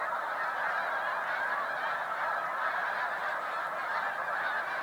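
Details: Snow Geese massed on Cayuga Lake, New York, at a spring migration stopover on 20 March 2021. A more distant, even murmur of countless overlapping honks fills the whole clip.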